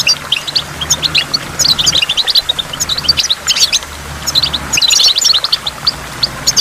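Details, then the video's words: A goldfinch sings a rapid, liquid twitter of high chirps and trills pouring out almost without pause beside a waterfall, over a soft steady rush of water and water drops. "in the waterfall stimulates goldfinch and water drops"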